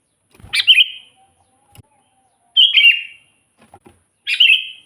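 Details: Actively singing sooty-headed bulbul, a recording meant for luring wild bulbuls; three brief bubbly phrases, each a bright note sliding down into a short warble, separated by pauses of about two seconds.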